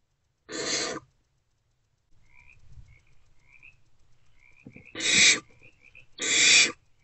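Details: Barn owlets in nest box C at night, 2 March 2024, between 1:28 and 3:20 am, snuggling together: three loud, harsh, broadband hisses, each about half a second long, with faint high whistly tones between them.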